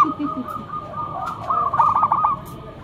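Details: Local zebra dove used as a lure bird, heard with a soft low cooing run and then a single quick rippling phrase of rolling notes over a faint background hum.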